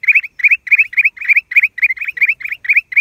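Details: Black-crested bulbul recorded in April 2023: a fast series of short, bright, slightly rising chirped notes, about four per second, run steadily through the clip with no other sounds.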